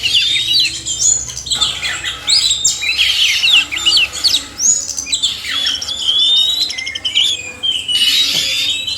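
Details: Oriental magpie-robin male and female singing together, a recording meant to stimulate reluctant kept birds: dense, varied whistled phrases with sweeping rising and falling notes, chattering bursts and overlapping voices throughout.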